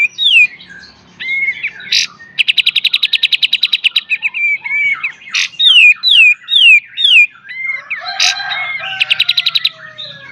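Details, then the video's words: Pied triller singing its beset and tembak song, used as a master for training cage birds: looping downslurred whistles, a long rapid buzzy rattle, sharp bursts, then more slurred whistles and a second short rattle. "KAPAS TEMBAK FULL BESET DAN TEMBAK"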